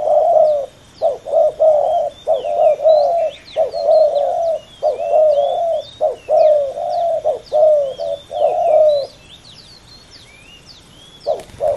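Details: Male spotted doves in a fierce pairing coo in low, hollow, slightly wavering phrases almost every second as rival males answer each other. Thin high chirps of small birds sound behind them.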